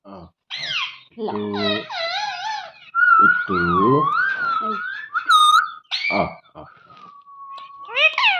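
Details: Pet parrot talking while playing indoors: a mix of mimicked speech-like syllables, warbling slides and a long wavering whistled tone, in a small room.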